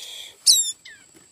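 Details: A loud, piercing high squeal from a tailorbird nestling found inside cut bamboo, followed by a softer, falling whistled note, with a thin background hiss.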